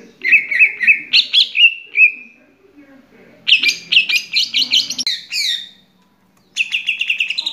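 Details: Greater green leafbird song used as a lure to make a quiet bird start singing: bright, varied chirping phrases, some warbled and some rapidly repeated, in three bursts separated by short pauses, over a faint low background murmur.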